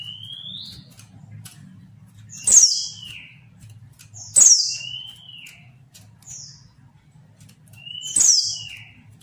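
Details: Female Mountain white-eye calling to provoke males into answering, giving sharp, high chips, each followed by a thin downslurred whistle, about every two seconds, over a faint low hum.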